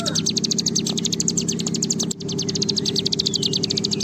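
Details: Bar-winged prinia in long 'ngebren' song, used as a lure recording to stir other kept birds into singing: a rapid, high, buzzy trill of evenly repeated notes, briefly broken near two seconds, over a constant low hum.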